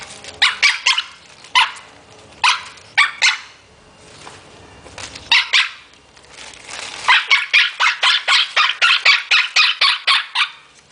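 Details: Pet parrot playing with a plastic bag, barking like a dog: bursts of short, harsh, high barks, first in small groups, then a fast run of about a dozen near-even barks.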